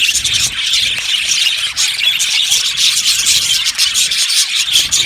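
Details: A captive Australian budgerigar colony in an aviary, many birds chirping at once: a dense, continuous wash of high, scratchy chatter and squeaky notes with no pauses, steady in loudness throughout.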